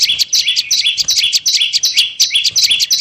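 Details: Bar-winged prinia lure recording: loud quick chirps, a high note then a lower one, repeated almost three times a second in an unbroken run.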